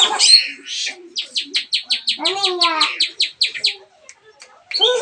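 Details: Long-tailed shrike singing to provoke a silent bird: a harsh burst, then a fast even series of about twenty sharp chirps with a lower rasping phrase mixed in, ending in another harsh burst.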